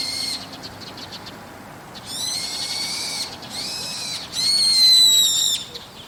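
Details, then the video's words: A brown-eared bulbul on a rooftop at dusk: a fast series of three harsh, squealing calls, the last loudest and slightly falling in pitch, with only soft background noise between them. "ヒヨドリの夕方の鳴き声 Brown-eared Bulbul"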